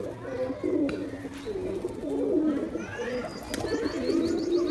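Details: Male domestic pigeon giving attacking coos, low rolling notes repeated through the clip, with faint human voices and room noise behind.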